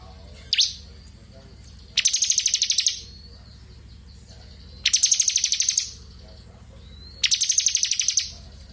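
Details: Ngebren of a crystal blue robin, recorded as a training track for magpie robins: a sharp falling note, then three separate bursts of fast, buzzy high trilling, each about a second, with low hum throughout.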